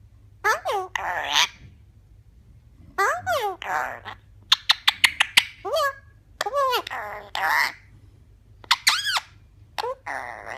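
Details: Eclectus parrot chattering a run of talking phrases: arched, voice-like syllables and breathy hisses repeated many times. A burst of rapid sharp clicks comes midway, in quiet surroundings.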